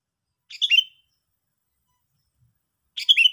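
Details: Sooty-headed bulbul calls: two brief, bright chattering notes with a falling twist, about two and a half seconds apart, in otherwise quiet surroundings.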